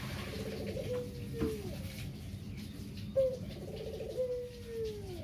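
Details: Two coos from a captive local Barbary dove in the kugeru style, the surviving bird of a pair, kept as a lure to set other doves cooing: each a sharp short opening note, then a long rolling purr that slides gently downward.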